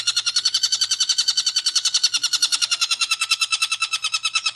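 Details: Long-tailed shrike giving full ngekek: rapid, steady harsh chattering notes repeated about three times a second in one unbroken sequence.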